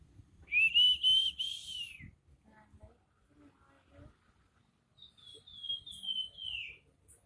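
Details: Crested jay in full 'nyiul' whistling song: a loud rising whistle held with a slight waver, quiet clicks and murmurs in between, then a long pure whistle gliding downward to finish.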